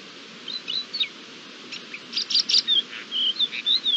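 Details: Thekla's lark in courtship display, recorded 28 March 2022: scattered short whistled notes and slurred chirps, building into a denser burst of bright phrases, then descending and rising whistles near the end.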